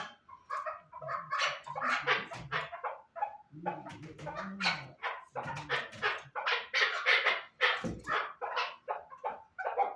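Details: Chukar partridge calling with bursts of loud, harsh chattering notes, with a brief lower rumbling passage in the middle before the rapid chucking resumes.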